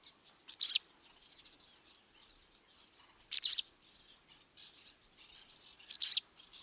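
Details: Barn swallow chattering: three loud high chirps spaced about three seconds apart over a soft, continuous background of faint twittering notes.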